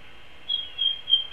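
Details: Long-eared owl at its nest feeding a chick an entire vole, recorded on a live nest camera on April 13, 2016; a thin, high, drawn-out squeal holds nearly level for almost a second, swelling in several pulses.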